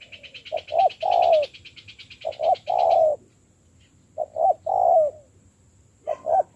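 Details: Decoy spotted dove in training gives repeated three-part coos, two quick notes then a long falling coo, with a rapid chirping series from another small bird during the first three seconds.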